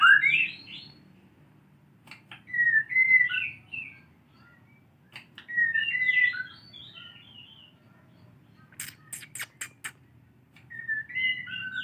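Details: White-rumped shama practising canary song, giving short whistled phrases of a few quick notes every few seconds with quiet gaps between, and a burst of sharp clicks near the end.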